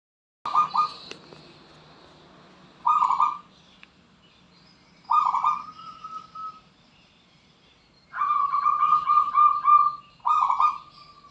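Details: Wild local zebra dove from Borneo singing: bursts of rapid, stuttering coos around one pitch, each phrase about a second long with a trailing note, repeated every two to three seconds over quiet background.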